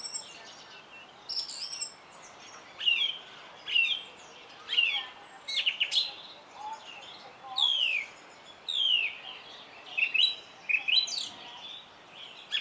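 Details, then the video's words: Song thrush singing: short varied phrases of clear whistles and sharp chirps, each burst separated by brief pauses, many notes sweeping downward, with a faint background hiss. "Énekesrigó - Turdus philomelos - Song Thrush"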